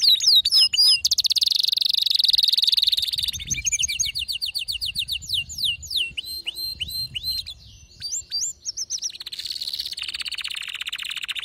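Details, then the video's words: Agitated canary singing at full intensity, opening with sharp whistles, then a long rolling trill, series of rapid rising slurred notes, and ending in another high continuous trill. "هيجان ذكرى كناري سيجبر كناريك على التغريد فورا"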